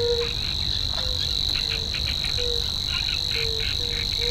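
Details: Savi's warbler singing in a reedbed: an unbroken, high, even buzzing reel holds through the whole stretch, while short low hooting notes recur roughly every half second to second, with scattered faint chirps behind.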